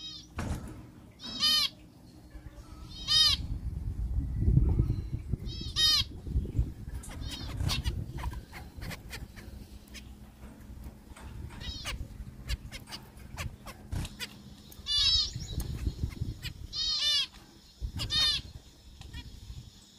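Zebra finch giving short, nasal, trumpet-like beeps in scattered bursts over low rumbling background noise.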